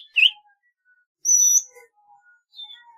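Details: A golden-fronted leafbird gives one bright chirp, then a sustained high whistled note lasting about half a second, followed by faint soft warbles.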